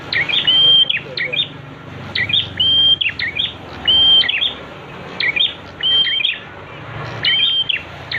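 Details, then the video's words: Prenjak (prinia) song played as a master recording for training birds: phrases of high chips and a flat sustained whistle, repeated roughly every second or so, over low background hum. "Masteran untuk prenjak, agar cepat bunyi"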